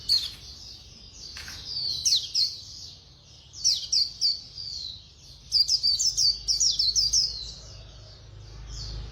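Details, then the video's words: Khuyên Líu white-eye singing quickly: irregular clusters of high, sharp, slurred chirps, building to a dense rapid chatter in the second half before fading into a soft warble, with low background rumble. "Khuyên Líu Hay _ Mau Mỏ _Tốc Độ _Tiếng chim Khuyên Líu"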